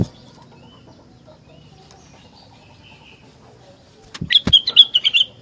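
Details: Rengganis in persistent song that prompts other rengganis to answer: quiet background, then two sharp clicks and a quick burst of short, bright, bouncing whistled notes near the end.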